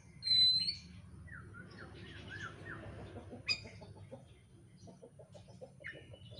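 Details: Oriental magpie-robin song used as a lure to provoke other birds to sing, described as dense, fast and insistent: a loud high whistle, then a run of short descending slurred notes and varied chirps over a low background hum.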